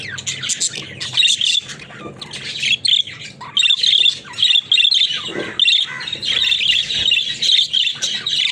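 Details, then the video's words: Talking budgies, kept as pets, sound off in choppy bursts of grating chatter and thin whistled squeaks, coming in loud clusters separated by short quiet breaks. "Funny Talking Budgies"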